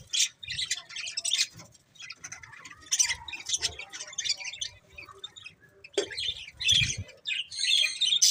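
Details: Budgerigars give scratchy, high chattering chirps in uneven bursts, with soft pattering or shuffling sounds between them and a louder squeaky run near the end.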